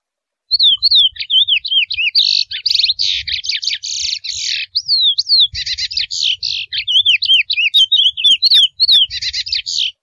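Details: Wild Chestnut-bellied seed finch, known locally as curió mateiro, singing in forest: clear sliding whistled notes opening each phrase, followed by rapid buzzy rattling trills, phrases repeated back to back over ten seconds with brief pauses.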